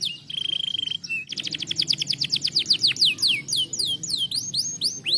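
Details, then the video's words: Canary singing a stimulating training song, opening with a rapid steady trill, then quick descending high sweeps that slow into looping rising-falling notes; faint low hum underneath. "usar para terapia de som canário preguiçoso"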